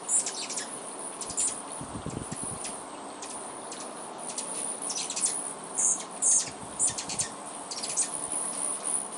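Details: Hummingbirds sharing a feeder before dark give very high, thin chips and squeaky twitters in irregular bursts, with a faint steady insect-like hiss and a few soft low thumps.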